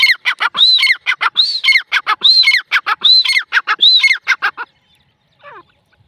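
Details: Desi grey francolin hen giving loud, harsh, rhythmic call phrases, each with a ringing arched whistle among grating notes, repeated rapidly for four and a half seconds before falling quiet, a faint note near the end.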